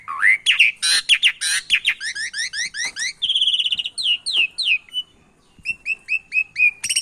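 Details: Javan pied starling blended with canary song as a training recording to provoke reluctant birds: rough upward notes, a fast series of rising whistles, a buzzy trill, then spaced repeated chirps after a brief pause.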